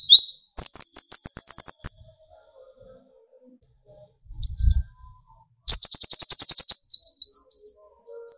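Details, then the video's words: Brown-throated sunbird (kolibri ninja) in song, played to provoke others into singing: two long, rapid, very high chattering trills separated by near-silence and one low thump, ending in scattered thin chirps. "burung konin gacor pancing tembakan konin dari yang trotol sampai full metalik nembak emosi"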